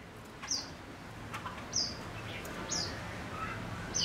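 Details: A male Gouldian finch kept as a decoy bird gives short, high, sharp chirps about once a second. Faint softer notes and background hiss are also heard.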